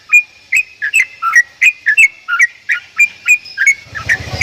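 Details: Strange-sounding Javan myna song made of quick whistled notes, some doubled, repeated about two or three times a second, ending with a short burst of low rumbling noise.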